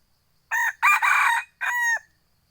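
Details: F2 hybrid junglefowl rooster gives a three-part crow: a short opening note, a longer, rough, strained middle section, then a clear held closing note that ends sharply, against a silent background.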